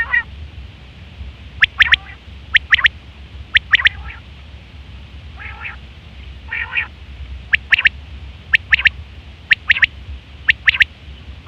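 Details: Female quail calling, with sharp clipped notes in pairs and triplets about once a second and a few softer raspy calls in the middle, over a low steady hum.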